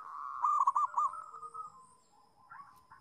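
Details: Local zebra dove with a sweet, melodious voice, used to tutor doves learning to sing; rapid rolling coos near one pitch, a loud bubbling burst followed by softer trailing coos and a quieter phrase at the end.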